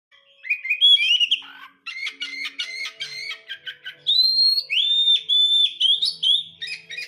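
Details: White-rumped shama, a house-kept bird, singing a loud, varied song: rising whistled phrases around the middle, then a run of rapid repeated notes, followed by bright sweeping whistles repeated several times toward the end.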